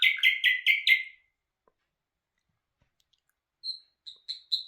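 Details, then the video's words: Singing nightingale (bulbul hazar dastan): five loud, evenly spaced chirped notes, a long silence, then four short high notes picking up again. "Bul bul hazar dastan singing toons"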